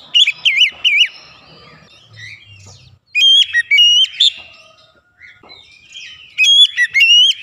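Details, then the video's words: Provoked oriental magpie-robin in agitated song: bright, ringing whistles, some looping and some held flat, delivered in three separate bursts, with faint low rumble in the pauses. "pancingan Kacer langsung emosi"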